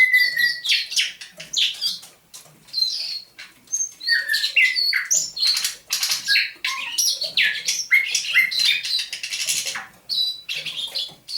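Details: Captive thrush nightingale caught near St Petersburg in May 2019, singing at dawn on 27 November 2021: a dense, fast run of varied whistles, slurred high notes and clicking chips, with brief pauses between phrases.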